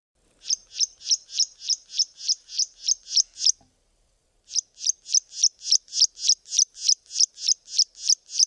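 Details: Karoo prinia calling from a bush in the southern Karoo, South Africa: a fast, steady series of high piping notes, about three per second, pausing for a second before the rapid repetition resumes.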